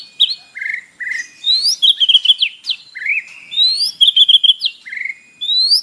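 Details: Morning song of a white-rumped shama with mimicked fill-ins, played to prompt a captive bird to respond: clear whistled slurs rising and falling, interspersed with short upward sweeps and crisp high notes.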